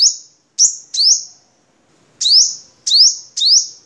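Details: Crimson sunbird from Vietnam singing for cage-bird training: high, bright rising sweeps in quick pairs and triplets, separated by a short silence.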